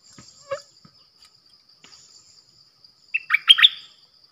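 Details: Decoy bulbul recording, 8 May 2021: a few soft scattered clicks and a short low note, then near the end a brief bright burst of three or four liquid whistled notes.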